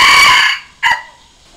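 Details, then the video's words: Red junglefowl crow used as a decoy sound to call and challenge wild junglefowl and to train decoy roosters; a loud, rich harmonic note fading after half a second, then one short abrupt closing note, with no other sounds. "เสียงต่อไก่ป่า เสียงไก่สำหลับต่อ"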